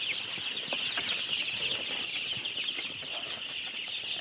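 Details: Baby chickens peeping together, their high chirps merging into a dense, steady shimmer with faint rustling beneath and no pauses.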